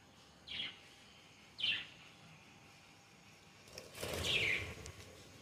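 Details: Parakeets outdoors utter short, rasping screech notes, two spaced single calls followed by a longer harsh burst with a faint rustle or wingbeat noise underneath.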